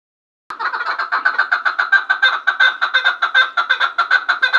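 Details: Chukar partridge from Gharm giving a loud, steady run of rapid clucking chuk notes, about one or two a second's fraction apart, with a bright ringing overtone, continuous for over four seconds after a silent start.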